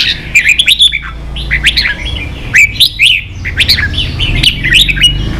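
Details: Red-whiskered bulbul, a caged bird, singing for training young birds: lively bursts of bright, slurred whistled notes rising and falling, in phrases repeated roughly every second with short gaps, over a low steady background hum.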